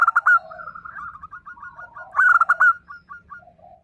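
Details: Loud local zebra dove song with two strong phrases. Each opens with a sharp ringing burst of clipped notes and trails into quick falling coos. A softer dove purrs in the background.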